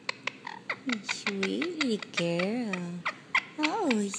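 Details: Pet female Indian ringneck parrot singing while receiving a head rub: a series of warbled, tonal notes that rise and fall, mixed with sharp clicks, with a woman's affectionate voice speaking softly nearby.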